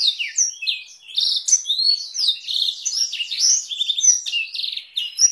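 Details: Blackthroat-variation master song of a canary, used to train canaries and White-rumped Shamas: a busy stream of sharp chips, rising whistles and several rapid rattling rolls, very high-pitched with no gaps, nothing else heard.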